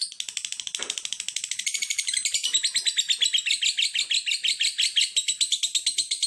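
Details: Lovebird song made of a long, fast train of shrill, buzzy chirps, roughly three a second, steady and high-pitched throughout.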